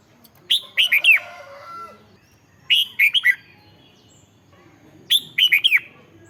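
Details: Red-whiskered bulbul song, played to excite caged birds: three short bright phrases about every two and a half seconds, each a quick bouncy run of three or four slurred, warbling whistles, with quiet background between phrases.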